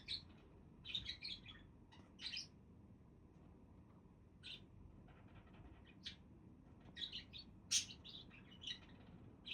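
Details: Budgerigars calling: short scattered high chirps and squeaks, in bursts separated by quiet gaps, over a low steady background hum.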